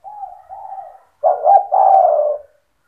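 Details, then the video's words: Spotted dove singing 'cetretan' style to provoke other doves: two soft, level, drawn-out coos, then a loud phrase of two quick stuttered notes swelling into one long, gently falling rolling coo. "Suara burung tekukur gacor cetretan bikin deruk tekukur derkuku balam lain emosi ikut bunyi"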